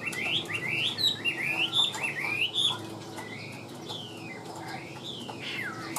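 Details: Loud, even song from a tame caged Chinese hwamei: bright rising whistles repeated about once a second, followed by softer, drawn-out slurred whistles.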